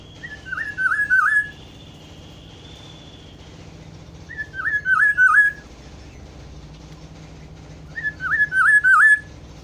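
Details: Black-throated oriole giving a rich, liquid, whistled phrase of several warbling notes, repeated three times about four seconds apart, with quiet background between.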